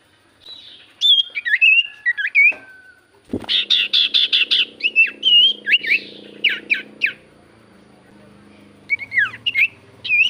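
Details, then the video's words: Javan white-eye song used as a lure so silent birds answer: lively mix of twisting whistles and buzzy chattering bursts, with a steady low hum underneath for part of the clip. "Pancingan Burung sirtu cipoh gacor Paling ampuh cipoh diam pasti Langsung nyaut"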